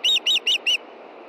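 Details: Four loud, high whistled yelps from a female osprey calling for fish near nightfall, Montana, 22 June 2013 at 9:53 p.m., then quiet hiss.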